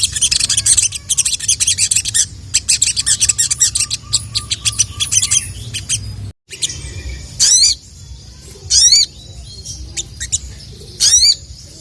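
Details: Sooty-headed bulbul calling rival males: a long stretch of rapid, dry high ticking chatter, then a short gap, then three loud sweeping notes a little over a second apart.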